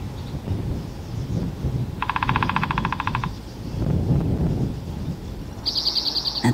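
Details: A Spotted Towhee in spring in a Vancouver, BC forest calls from bushes along a trail: a rapid, buzzy trill lasting just over a second, then a second bird adds high, quick notes over a steady low rumble.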